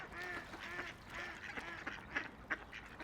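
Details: Several loud, nasal quacks from ducks floating along a quiet river, the first ones longer and bending down in pitch, then shorter clipped calls near the end, roughly three per second.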